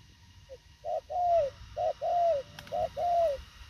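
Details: Thổ khàng spotted dove cooing fast and tersely: a soft introductory note, then paired short-long coos, each long note slightly falling, repeated three times over a quiet low rumble.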